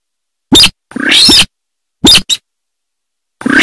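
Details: Rice-field sintar giving a short rasp, then a longer grating, nasal note, then a quick double chip. Notes come irregularly with clean silence between them.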